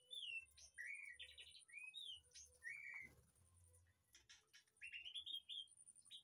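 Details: Caged white-rumped shama in a backyard aviary gives a string of clear, slurred whistles and brief upward notes, a pause with soft clicks and rustling, then a quick bright ascending run of notes.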